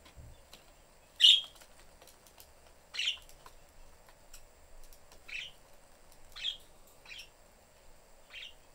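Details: Caged pet budgies, a family of parents and their young, the youngster looking for attention while the mother keeps busy; six short bright chirps at irregular intervals, the first loudest, with a faint steady hum beneath.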